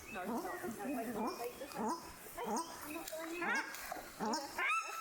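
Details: Newly hatched Paradise shelduck ducklings on their first afternoon on the water, on a lake in the Maungakotukutuku Valley, New Zealand, give many overlapping, thin rising-and-falling peeps in a busy, continuous chatter.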